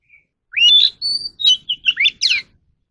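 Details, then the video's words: Captive Oriental magpie-robin undergoing voice training delivers a varied, rapid song of upswept whistles, a held high note and several quick slurred chirps, ending with a bright upward flourish. "kacer alam | choè than luyện giọng || Choè than kích bổi ra giọng เสียงนกกางเขนบ้าน"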